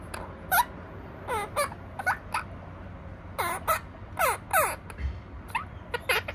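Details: Pet opaline monk parakeet giving a steady stream of short, harsh, harmonic squawks, many dropping sharply in pitch, in clusters of two or three with brief pauses between. A low hum sits underneath.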